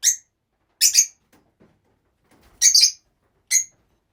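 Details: Rosy-faced lovebirds housed together as a group, calling in loud, raspy, piercing chirps, single and doubled, spaced about a second apart, with faint rustling between.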